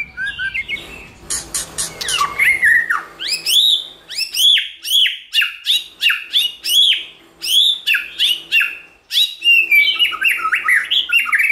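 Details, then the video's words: White-rumped shama in many-voiced song, played to provoke and train shamas to sing: loud rapid series of high, sharply down-slurred whistles repeated about twice a second, with varied warbled phrases at the start and low hum early on. "Kích Chòe lửa hót nhiều giọng"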